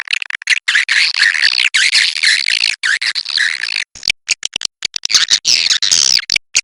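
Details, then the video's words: Kapuas River edible-nest swiftlets: nearly four seconds of unbroken buzzy twittering, followed by a scatter of quick clicks and short high chirps. "SUARA BURUNG WALET SUNGAI KAPUAS"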